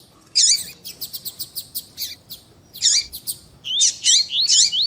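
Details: Double-collared seedeater (coleiro), female call and male tui tui song used to warm up a male: rapid high chirps, then a run of sweet whistled slurs rising and falling, sharp and bright.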